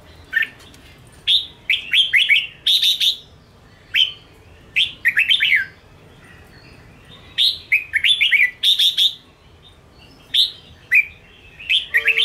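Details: Caged-bird training recording of a red-whiskered bulbul singing Ché style to provoke others; long series of punchy, warbling whistled phrases, each a few rising and falling notes, repeated every second or two with short gaps.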